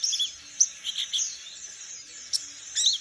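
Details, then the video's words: Wild young palas Borneo white-eye in forest practising ngeriwik: a short burst of thin, high chirps and quick slurred notes, with sharp accented clicks between soft twittering. "Pleci palas borneo muda hutan belajar ngeriwik"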